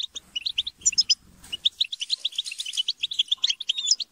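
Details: Squabbling European goldfinches in a group, used to encourage a goldfinch to sing: fast liquid twitters run almost unbroken, with low fluttering thumps, possibly wingbeats, in the first second and a half.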